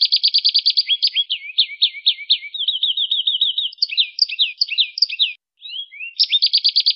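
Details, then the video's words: Canary song in varied gacor style: a quick bright roll, sweeping buzzy chirps, a fast warbling trill, high scattered notes, a brief pause, then the roll resumes. "Suara Kenari GACOR"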